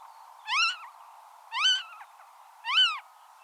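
Western marsh harrier giving three shrill, slightly rising then falling squealing calls, about one per second, over a steady low hiss.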